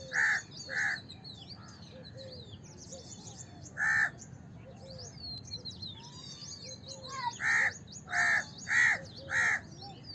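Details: Repeated hoarse caws of a house crow in several bursts: a pair at the start, a lone caw midway, then four evenly spaced calls, amid constant high twittering of smaller birds.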